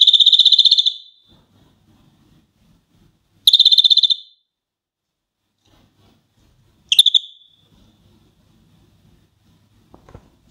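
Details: A caged European greenfinch, recorded in 2016 at Florya with dandelion, sings three fast, ringing trills, each under a second long and a few seconds apart, over a faint low rumble.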